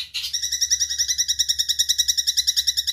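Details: Eurasian tree sparrow, used as songbird training audio, opening with one harsh note and then a clean, even, rapid trill of bright repeated pulses, roughly eight per second, lasting almost three seconds.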